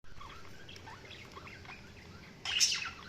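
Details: Budgies chirping: faint, rapid warbled chirps and short wavering notes run steadily through the clip, then a louder, harsher burst of chatter breaks out near the end.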